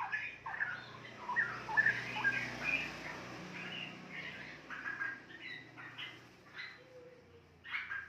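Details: Caged juvenile straw-headed bulbul, two and a half months old, beginning its daily chatter: a burst of quick whistled and slurred notes, then sparser short chips, over low background hum.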